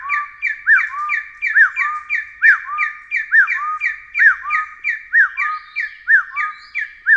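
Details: Taiwan hill partridge calling: a steady run of about ten paired notes, each a sharp higher upslurred whistle followed by a lower, longer level whistle, roughly one pair per second, in clean quiet surroundings.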